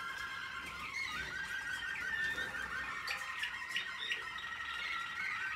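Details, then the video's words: American Singer canary in training, 2021, singing a dense, continuous run of rapid trills and rolling warbles at mid-high pitch, with several layered tones and no pauses across the whole stretch. "American singer canary"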